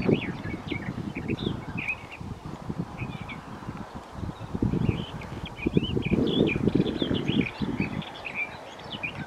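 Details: Garden warbler singing at Wyver Lane: a fast, sweet, running warble that flows on with few pauses, against steady wind and low rumbling noise.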